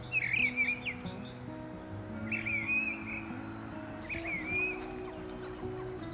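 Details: Mistle thrush, heard singing everywhere since mid-February, in February–March 2023, sings three short, fluty warbled phrases about two seconds apart, over steady background music.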